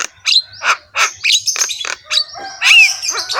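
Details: Coarse-sounding Javan myna bobbing its head in a rich song of loud raspy squawks mixed with long thin whistles and a descending clear note near the end.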